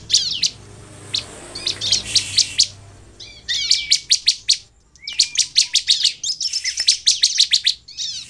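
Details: Sunda bush warbler singing to lure other birds into song. Soft scattered chips over background hiss open the passage, followed by loud, rapidly repeated high trill notes and thin whistles.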